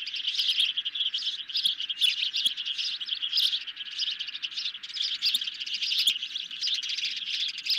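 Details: Ospreys at the nest during a night feeding of a medium-sized fish on 10 July 2021, recorded by a nest cam. A steady stream of sharp, high chirps, with louder bursts roughly every second.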